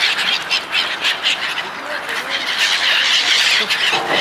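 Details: A flock of gulls fed by people gives overlapping squawks and squeals that swell and fade, with a thin high cry standing out toward the end.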